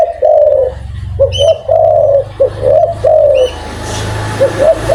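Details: Persistently calling spotted dove with a strong voice: a brief coo, then a burst of short clipped notes leading into longer mellow hoots; quieter notes near the end over low background rumble and a hiss.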